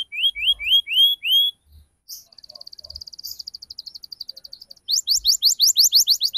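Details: Canary lure song for young canaries learning ngriwik and cuit cuit calls; a few rising whistled notes, a softer fast buzzy trill in the middle, then a loud rapid series of sharp chirps.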